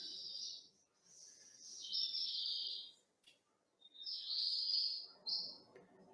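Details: Black redstart in Sierra de Andújar Natural Park, Sierra Morena, Spain, singing three short, high phrases of scratchy, crackling, hissing notes, each one to two seconds long, over a faint low rumble.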